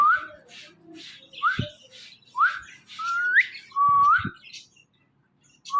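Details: Pet Ringneck parrot talking into a phone: a string of quick whistles, each sliding sharply upward, repeated roughly every second, mixed with soft taps and clicks.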